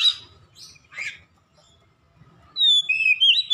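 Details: Oriental magpie-robin song in the loud ngeplong gacor style, played for training caged birds at home: a few harsh bursts, a pause, then clear high whistled phrases with sliding notes, over a faint steady hum.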